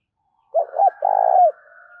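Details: Spotted dove calling to attract wild birds: a clipped double note and then one long, rolling, burry coo that drops at the end, followed by a soft lingering hum.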